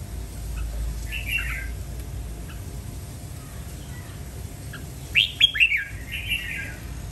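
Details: A red-whiskered bulbul gives a soft brief phrase, then after a pause a louder run of sharp up-and-down whistled notes ending in a slurred warble, against low hum.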